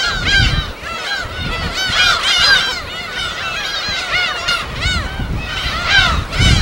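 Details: Crowded gull breeding ground on an uninhabited island in Korea's West Sea: layered, down-curving mewing calls from many gulls pour out continuously, with low rumbling surf beneath in bursts.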